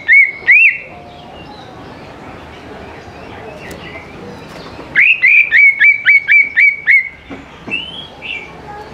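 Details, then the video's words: Greater green leafbird singing nonstop, a recording used to get young leafbirds to answer: two loud upswept whistles, a quiet pause, then a fast string of about nine sharp repeated notes with a few softer trailing phrases. "CUCAK IJO GCOR SANGAT AMPUH BUAT PANCINGAN CUCAK IJO MUDA BAHAN LANGSUNG NYAUT IKUT GACOR DOR"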